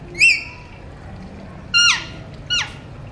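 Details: Pet Alexandrine talking parrots: one bright whistled note, then two harsh, downward-sweeping, ringing calls close together, all loud against a quiet, low background.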